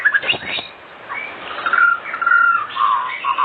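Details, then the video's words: Oriental magpie-robin evening lure song for prompting other magpie-robins to sing: softer sweet whistles and short chirped phrases, some sustained notes toward the end. "Pancingan Sore Murai Batu Gacor di Jamin 100% RESPON buat pancingan murai batu pastol agar bunyi"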